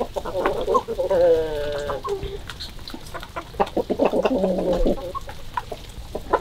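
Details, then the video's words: Chickens on a February 2022 morning, low clucks and a drawn-out nasal call among busy scratching and clattering background noise. "Morning of lovely chickens - February 2022"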